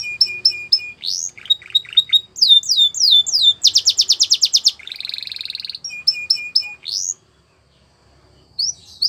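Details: Training song for teaching young canaries, Russian and Belgian canary types: repeated whistled notes, quick descending slurs, a dense pulsed roll, a buzzy low trill, then more whistles and a short pause before rising notes return.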